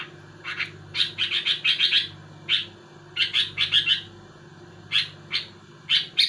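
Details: Sooty-headed bulbul singing to unsettle rival bulbuls: dense groups of quick chirped notes separated by short pauses, ending in scattered doublets, over a constant low hum.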